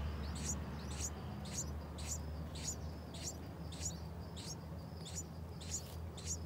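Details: Yellow-vented bulbul calls at a nest with six-day-old chicks during heavy rain and thunder, parents feeding the young: thin, high chirps about twice a second over a steady low rumble of rain and thunder.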